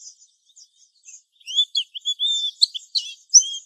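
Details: Lure song of a mountain white-eye for conditioning young birds: soft high chirps at first, then louder, lower clear whistled notes mixed with sharp twittering above them.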